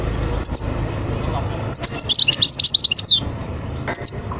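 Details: European goldfinch song: a fast, bright, tinkling twitter of high notes lasting about a second and a half, with isolated single chirps before and after, over faint low background noise.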